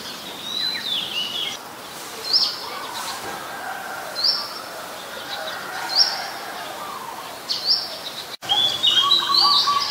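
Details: Oriental magpie-robin singing in Ubon Ratchathani, Thailand, on 23 December 2019, captured with a Nikon P1000: sharp rising whistled notes repeated roughly every two seconds, then a faster, varied warbling phrase after a brief break.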